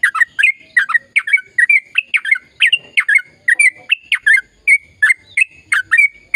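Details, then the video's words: Sooty-headed bulbul in long, energetic song, played to provoke silent birds into singing: dense, crisp chirping phrases and brief whistles, steadily repeated with no pauses. "Suara Burung Trucukan Gacor Ropel Panjang Perangsang trucukan bisu biar aktif bunyi"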